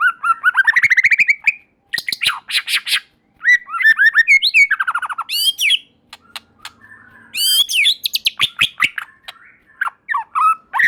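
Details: White-rumped shama (murai batu) pouring out a dense, varied song to provoke other shamas: rapid stuttering trills, slurred whistles and fast rattling note series with scarcely a pause.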